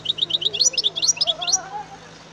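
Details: European goldfinch delivering a quick series of tinkling, twittering notes with sharp upward flicks, accompanied by a softer low wavering whistle-like tone and a steady low hum.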